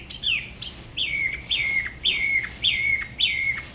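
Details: Spot-throated babbler of the La Ba river, Da Lat, singing solo. It gives a string of bright whistles that slide down and hold on a lower note, each followed by a short dip, about two per second.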